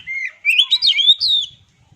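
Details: Short burst of oriental magpie-robin song: a level whistle, then a quick tumble of twisting, upslurred notes in about one and a half seconds.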